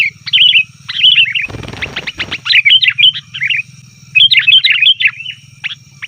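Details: Sooty-headed bulbul giving noisy lure calls meant to draw wild bulbuls in the forest and set caged ones answering: busy bubbly chattering notes in quick bursts, with a break of rustling noise midway and a steady low hum and thin high tone underneath.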